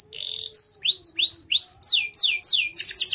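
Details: Loud canary song from a gacor bird described as melodious enough for contests: a buzzy burst, then rising and arching whistled notes roughly three per second, closing on a fast trill.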